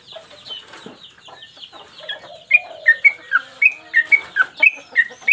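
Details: Trucukan, or yellow-vented bulbul, sings lively in a training recording for cage birds. Soft mixed chirps and a lower slurred note build into a loud, rapid run of sharp, downward-dropping high notes in the second half.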